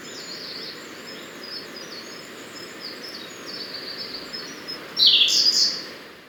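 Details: Siberian blue robin song: several seconds of soft, thin, high preliminary notes, then a loud, fast phrase of rapid high notes lasting under a second, in a quiet forest with faint background hiss.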